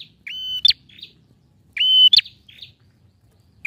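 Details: Male bar-winged prinia in full voice, played to prompt a silent bird to sing: two phrases of a sharp, flat whistled note ending in a hard click, with softer trailing chips between.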